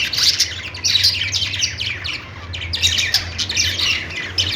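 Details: Lively budgerigar chatter, many overlapping downslurred squeaks and warbles in a constant loud stream, with a low humming background.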